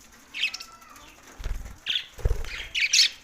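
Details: Budgies in Larkana, Sindh: short, bright chirps in quick groups, mixed with fluttering wingbeats and low thumps.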